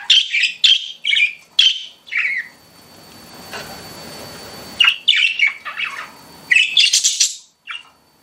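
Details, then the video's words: Pet budgies making short, bright, slightly harsh chirps in quick groups, a quieter gap with faint hiss in the middle, then more squeaky chirps and warbles. "CUTE PET BUDGIES CHIRPING"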